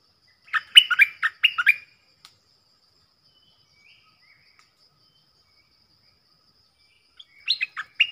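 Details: Stripe-throated bulbul decoy song meant for tutoring young birds and luring wild birds: a burst of bubbling, slurred whistles, a long quiet stretch, then another short burst.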